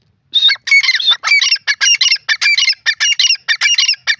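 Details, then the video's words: Loud, ringing grey francolin calls: a fast string of harsh, squawky, wavering high notes run together with barely a break for about four seconds. "grey francolin call pheasant birds awaaz"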